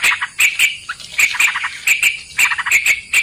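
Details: Lure sound of a sooty-headed bulbul for trapping: short bursts of bright, clipped chattering notes separated by brief gaps, with one lower slurred note and a constant thin high hiss.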